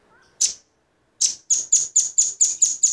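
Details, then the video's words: Male and female velvet-fronted nuthatch lure call: one piercing high note, a second of silence, then eight sharp, evenly spaced chips that ring high and clear, about four per second. "suara pikat burung rambatan jantan dan betina"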